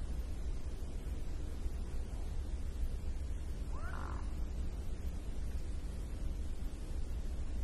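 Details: Mute swans gliding over water give a single soft, brief call that rises and then falls, heard faintly over a steady deep rumble of wind and water.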